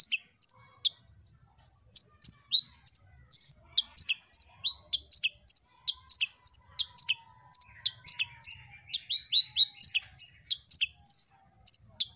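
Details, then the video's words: A brown-throated sunbird sings a lively run of high, sharp chirps and short whistled notes, several per second with brief pauses, with no other sounds. "Kolibri Ninja Gacor"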